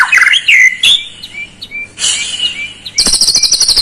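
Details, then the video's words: White-rumped shama song used to provoke a lazy shama into singing. A jumble of sharp whistled notes, then spaced short whistles, and finally a high rattling buzz to the end. "PANCINGAN PALING JITU UNTUK MURAI YANG MALAS BUNYI"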